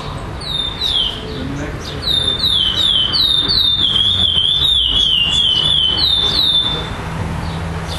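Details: A chestnut-bellied seed finch, first-place winner at a song tournament in Florianópolis, Brazil, 18 September 2011, sings a fast run of clear, high whistles, each sliding downward, repeated several times in quick succession over faint background noise.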